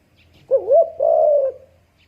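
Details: Single spotted dove phrase: a wavering, slightly rising coo followed by a longer, even, drawn-out coo that fades away, in a quiet setting.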